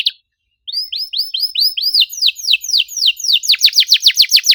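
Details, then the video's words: Canary song played to prompt a silent canary: a short note, a pause, then a long run of arched whistled notes ending in a faster, louder series of falling sweeps. "PANCINGAN KENARI MACET GACOR NEMBAK RAPAT CUIT CUIT DIJAMIN AUTO BUNYI KALO DENGER KENARI INI!"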